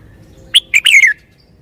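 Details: Red-whiskered bulbul giving one clear song phrase: a short bright note, a brief slurred second note, then a longer rich warble sliding downward, against a quiet, low background hum.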